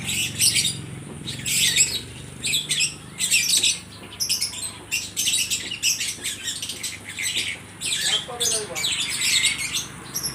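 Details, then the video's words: Lovebirds at an Aceh Tamiang bird market trade calls, with loud shrill chattering bursts separated by short gaps and one lower rasping note near the end. "(Burung love bird) saling nyaut menyaut sangat gacor"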